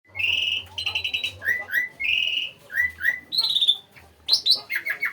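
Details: Asian pied starling (jalak suren), likely caged, singing actively: loud whistled and chattering phrases, rising and falling notes, squeaky buzzy bursts and repeated fluty motifs in quick succession, over a low steady hum.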